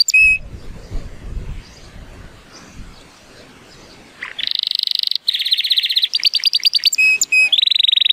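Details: Rated 83 points and born in 2018, a male Timbrado Español canary gives a training song on a sunny day: after several quiet seconds of faint rustling, fast metallic rolling trills begin, changing pitch and broken by short clear notes.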